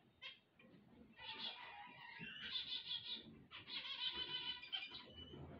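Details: Zebra finch song at waking time. One lone nasal note is followed by long, loud runs of buzzy, harmonic, trumpet-like phrases delivered in quick succession, with faint low rumbling below.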